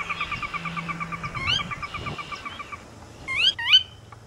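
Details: Sora giving a rapid series of repeated clear notes that gently descend in pitch for nearly three seconds, followed by two sharp, rising whistled notes near the end, over soft low background hum.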